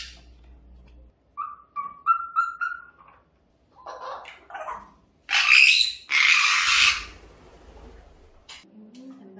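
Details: A pet parrot's household noise: a run of short, rising whistled notes, then two loud, harsh screeching squawks, while a person quietly tells it not to come close as it eats.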